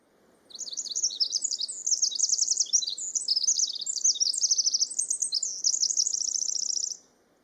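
Pacific Wren song: a long, unbroken torrent of very high, rapid trills and tinkling notes, running about six seconds without a pause over a faint low hum.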